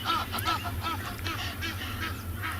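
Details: Egyptian geese in the background at Tswalu Kalahari Reserve, South Africa, on a sunny Wednesday morning, 12 August, shouting at each other in harsh, rapid honks in quick bursts, over a steady low rumble.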